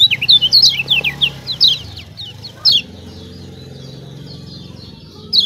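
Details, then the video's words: Lemon-bellied white-eye of Lombok, a lure for birds slow to sing: a rapid burst of high twittering chirps in the first two seconds, then quieter faint notes over a low background hum, with one loud chirp near the end. "CIAK CIAK JOSS KECIAL KUNING AMPUH||PANCINGAN KECIAL MALAS BUNYI||"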